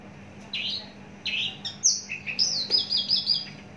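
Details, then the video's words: Caged adult Javan bush lark, long in care and heavily built, opens with a couple of scratchy notes, then speeds into a rapid chain of high bouncing whistles. "Branjangan javanica"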